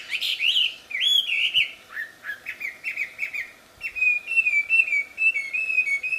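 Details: Loud, melodious wambi song recorded in the wild: strong swooping whistles, then a chatter of short notes, then a long wavering chain of high tonal whistles.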